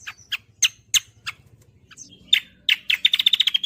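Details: Cucak kombo singing gacoran as tutor audio for songbirds: slow sharp separate chirps over a low hum, then a quickening sequence that builds into a fast, regular trill of ringing notes.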